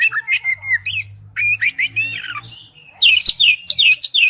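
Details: An Oriental magpie-robin sings its forest-style song, a rich, varied run of clear whistles, sweeping slurs and scratchy notes in quick bursts, high and bright, over a faint low hum.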